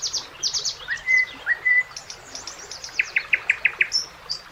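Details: Common nightingale singing on a summer riverside with ducks and splashing fish: high rapid trills, a few pure sustained whistles, then a series of loud repeated chook notes, with faint background hiss.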